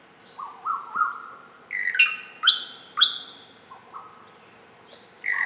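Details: Greater racket-tailed drongo calling: a varied string of short whistled and metallic notes, some flat and tonal, others sharp and ringing, jumping between low and high pitches in irregular bursts about twice a second.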